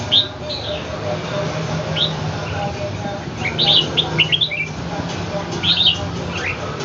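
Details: Caged red-whiskered bulbul sparring with a wild bird in Ho Chi Minh City: bursts of short, bright, slurred whistled notes in clusters around the middle and end, over a steady low hum and background noise.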